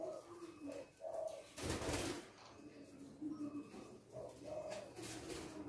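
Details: Male spotted dove with a loud voice, a kuk-2 type, giving low hollow coos in short phrases that recur about every second, with a brief burst of broadband noise midway and faint indoor background.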